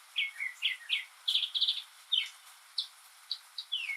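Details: A northern mockingbird, a lone male, sings on a rainy day, mimicking other birds and sounds. It gives a fast run of varied high chirps and slurred notes, some given twice in quick succession, and ends with a falling whistle over a steady soft hiss.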